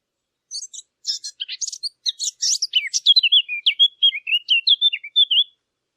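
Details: Small birds chirping in a quick, busy run of high, sharp notes: clustered twittering at first, then a string of short, bouncing, slurred whistles repeated at a lively pace, with no other sounds.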